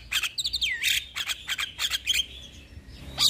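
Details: Javan myna, a young bird whose song serves to tutor other mynas: a clear falling whistle overlaid by quick scratchy chips repeated several times a second, ending in a sharp squawk.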